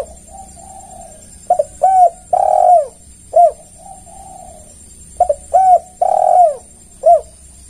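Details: Spotted dove lure call to bring other doves: a repeated phrase of short clipped coos and a long drawn coo, heard twice, backed by a steady high-pitched hum.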